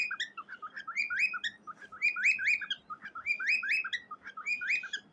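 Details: Pet cockatiel singing to a gray baby bird: warbling whistled phrases that rise and fall, repeated roughly once a second, each with bright chirpy notes, in a quiet room.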